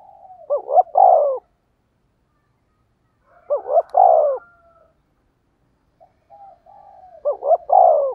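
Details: Wild-dove lure call of a spotted dove. Three widely spaced phrases of paired short hoots and a drawn-out falling coo, with soft low cooing between them.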